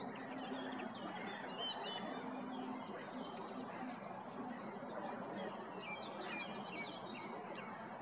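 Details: A corn bunting recorded on 20 April 2022 in Prečko, Zagreb, Croatia, gives its short song near the end: a few ticking notes speeding into a high, jangling trill. Other birds chirp faintly over a steady outdoor hiss.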